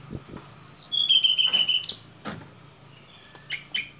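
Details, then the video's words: Sunda robin song opening with a long, high whistle that slides steadily downward, then a sharp upswept note and a few short chirps, with a low background hum. "Tledekan Gunung"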